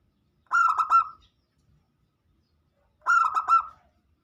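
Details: Local zebra dove lure song meant to get other birds singing along; two short pulsed, cooing phrases about two and a half seconds apart in otherwise quiet surroundings.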